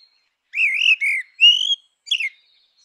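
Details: Grey-winged blackbird in natural habitat giving a smooth, mellow whistled phrase of three sliding notes, the third rising, followed by a brief falling flourish.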